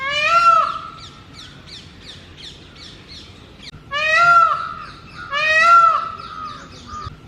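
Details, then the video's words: Male Indian peafowl in mating season, holding a territory on a house roof and calling loudly every morning and evening to attract females: three loud, nasal, wailing calls, each about a second long, rising then falling, with faint small-bird chirps between. "A Peacock Making a loud Noises in Mating Season | Peafowl Call | Peacock Sounds"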